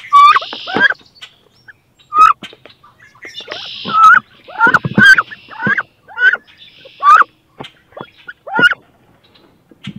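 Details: Two female wood ducks fighting inside a nest box, each wanting to lay and incubate eggs there; loud, harsh, rising-then-falling squealing cries burst out roughly every second, mixed with scraping and rustling noises.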